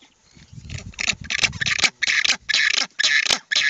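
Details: At a nest on West Point Island, Falkland Islands, among nesting black-browed albatross, a Southern rockhopper penguin with chicks calls to its mate: a low rumbling start, then a rapid series of loud, grating, braying pulses, about seven bursts.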